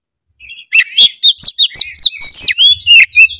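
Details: Lure song of a white-rumped shama meant to set silent birds singing: rapid loud whistled phrases with sharp upsweeps and falling slurs, about four notes a second, over a faint low hum.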